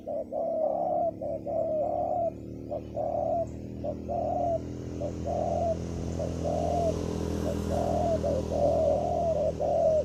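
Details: Decoy spotted dove calling at a ground clearing to bring in wild birds. Its low hollow coos repeat in short-long pairs through ten seconds, over a constant low droning hum.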